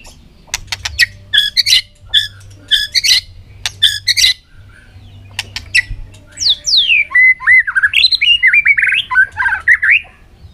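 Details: A white-rumped shama singing hard in a contest, afternoon sun, flicking its tail on the perch: rhythmic clusters of clicks and short notes, then a long fluent run of swooping whistles and rich warbled phrases.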